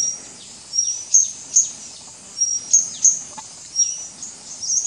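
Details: At Doi Ang Khang, Thailand, on 24 March 2017, a White-gorgeted Flycatcher (leucops) calls with piercing thin whistles and short emphatic ticks, spaced irregularly, with faint lower chirps behind.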